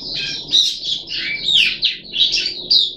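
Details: Puff-backed bulbul in captivity during deworming treatment, 14 July 2021, producing harsh, squawky high phrases with sweeping rising and falling notes, delivered in three or four uneven bursts.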